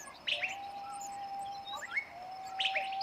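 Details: Six long-tailed shrike chicks being fed by a parent in West Java; brief high squeaky chirps at the start and end, with a thin steady whistled tone running almost throughout.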